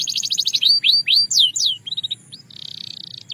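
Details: Belgian canary song: quick pulsed trill, then loud slurred whistles sweeping up and down, a few short clipped notes and a fine buzzy roll at the end.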